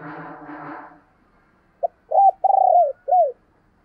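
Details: Decoy spotted dove calling to attract wild doves: after a brief rustling noise, a short note leads into a rising coo, a long vibrating rolled coo sliding down, and a closing arched coo.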